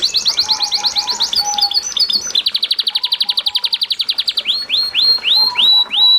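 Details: Melodious canary training song over running water for prompting other canaries: rolling pulsed trills, a long rapid, evenly repeated chirping trill, then well-spaced rising-then-falling whistled notes.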